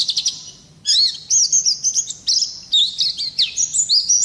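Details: Wild-type Oriental white-eye (pleci ngalas) in lively, prolonged rolling song used as a training master: high, thin twittering phrases of rapid slurred whistles and trills, starting with a brief burst, a short pause, then near-continuous warbling.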